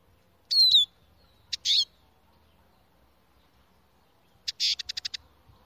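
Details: Na'ar bird call used as a hunting lure: one sharp descending high whistle, then a buzzy burst, and later a rapid series of five or six clipped high notes; otherwise near silence with a faint low hum.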